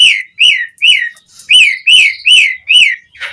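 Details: Asian pied starling in lively song, intended as a lure for starlings: rich, slightly nasal whistles that rise and then drop, given in a steady run of about seven notes with a brief pause midway.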